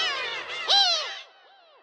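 Black-tailed gulls give harsh, nasal mewing calls that overlap, with one loud squealing note followed by fainter, falling cries.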